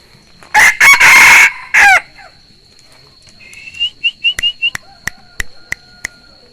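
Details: Rooster gives one full harsh crow in choppy bursts, followed by quick repeated high chirps from smaller birds and a series of sharp clicking taps, with a steady high tone running underneath.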